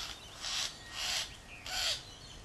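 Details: Wattlebirds in a backyard calling to drive off a Kookaburra, their nest about two metres away; three loud, harsh, rasping bursts about half a second apart, each broad and hissy.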